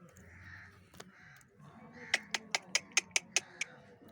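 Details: Angry parrot giving a quick burst of about eight harsh, raspy squawks, roughly five per second, after a quieter opening with one short isolated note; faint low background murmur throughout.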